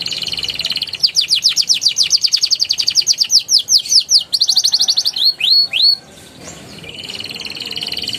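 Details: Young canary training song with rolling and chattering phrases: a buzzy trill, a long run of quick sweeping notes, a few rising whistles, then a softer buzzing trill.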